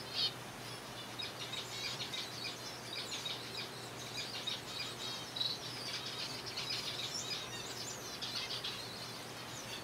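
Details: A colony of zebra finches feeding on soft food keeps up a dense, continuous chatter of short buzzy, nasal notes from many birds at once, rising and falling in busy waves over a faint low hum.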